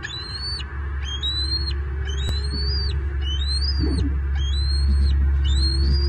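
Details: Only eaglet in a Southwest Florida bald eagle nest, 9 May 2023, during the father's fish deliveries: a rapid run of shrill piping whistles, roughly three a second, each sliding up and ending abruptly, with a low rumbling background.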